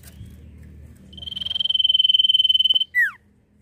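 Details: Nyiul-style song of a Common Iora: a steady, rapidly pulsing high trill that swells in loudness over nearly two seconds, ending in a brief loud down-slurred whistle.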